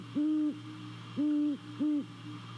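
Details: Deep, even hoots from a great horned owl that has come to a nest in Savannah, December 2020, on a nest camera at night; three long level hoots, the last two closer together, over a steady electrical hum.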